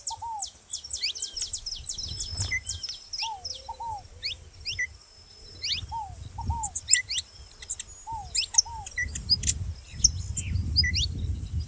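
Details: Saffron finch making noise with a ground dove nearby: dense volleys of sharp, steeply rising high chirps, paired lower arched whistles recurring every few seconds, and intermittent low rumbling background noise.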